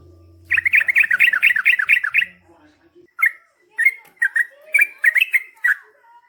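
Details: Yellow-vented bulbul (trucukan) in 'gacor ropel panjang' style: a fast rolling trill of about fifteen bubbly notes under a short low hum, then spaced warbled gurgling phrases.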